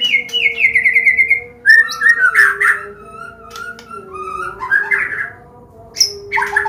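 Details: White-rumped shama from Medan singing a combination song to lure learning young birds into song: a high rapid rattling trill, then mellow whistled phrases and a sharp high note, over a constant hum.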